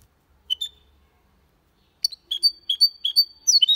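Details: Goldfinch × canary hybrid singing a clean, error-free Malaga-style song: a few high notes, a pause, then a lively run of sweet chirped and slurred notes about three per second, closing in a quick rippling flourish.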